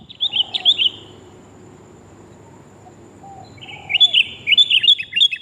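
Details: Female sooty-headed bulbul calling to the male, a recording used to lure birds: two bursts of bright, bubbly, warbled notes separated by a quiet gap of about three seconds.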